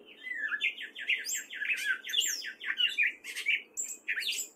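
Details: Spring song of a wary male gray catbird in Fairfield, Iowa: a continuous jumble of squeaky, chattering, slurred notes, changing pitch constantly with hardly a pause.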